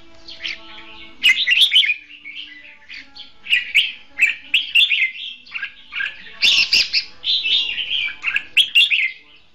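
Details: Decoy red-whiskered bulbul, caged for luring wild birds into traps, pours out a long run of fighting song: rapid, jumbled whistles and chattering notes in repeated loud bursts.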